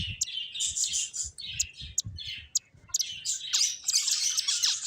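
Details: Playing finches give dense high-pitched chirping, quick overlapping tweets and short buzzy trills from many birds at once, with soft low tapping or bumping sounds beneath.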